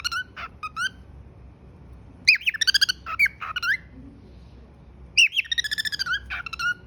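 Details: Whistling pet cockatiel, giving clusters of sharp chirps and wavering whistled notes, including quick repeated trill-like series, with short silent gaps and a constant low background hum.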